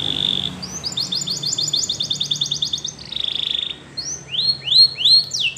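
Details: Canary song for training, somewhat softer: a short buzzy note, a long rolling series of rapid looped notes, a second buzzy burst, then a few rising swooping whistles, over a faint low hum.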